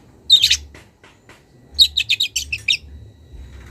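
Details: Young wild long-tailed shrike calling a rival: one sharp burst, then a quick run of about seven clipped, chattering notes, followed by quiet.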